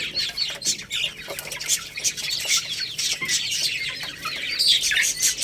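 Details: Chicks of the Lohmann Brown breed feeding on rice: loud, continuous high peeps from several birds together, punctuated by quick pecking taps.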